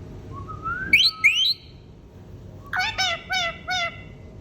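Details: A pet green rose-ringed parakeet (ringneck) talking: a few rising whistles, then four quick, speech-like syllables in a row, high and slightly nasal, over a faint background hum.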